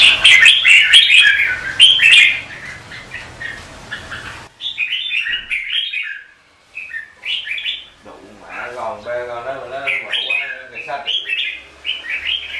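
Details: Red-whiskered bulbul competitive song for daily morning training: an opening burst of loud overlapping warbles, then separate, softer whistled phrases with short gaps between them.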